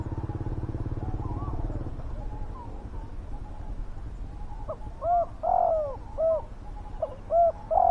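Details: Decoy spotted dove calling to lure wild doves. A steady hum and faint background tones come first. Its strong three-part coos follow, each a short note, a drawn-out falling note and a short closing note, heard twice.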